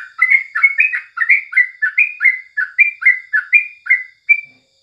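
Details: Yellow-vented bulbul singing in the morning, used as tutor song: an even series of clear, rising and falling whistled notes, roughly three per second, ending on a single higher drawn note.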